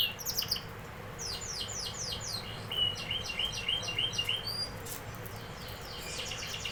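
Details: Canary singing a run of rapid, high, repeated slurred notes, then a long buzzy trill of quick identical syllables, over a faint steady low hum.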